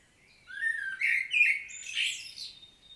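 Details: Common blackbird solo, Świnoujście, Poland, 25 September 2022: a low fluted phrase, a few stronger warbled notes, then a hissing, high twittered ending.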